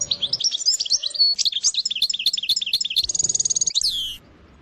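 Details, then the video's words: European goldfinch performing a sersar-style song: varied tinkling twitters and slurred chirps that speed into a rapid repeated chirp series, then a steady high trill and a final falling buzzy note. "اقوى حسون يسرسير بتغريد"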